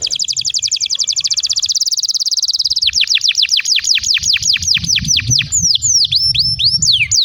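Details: Canary song used as a long prompt recording to teach young canaries and get silent canaries singing: a fast trill of rapid high notes, then slower repeated downward-swooping whistles, with faint low rumbling beneath.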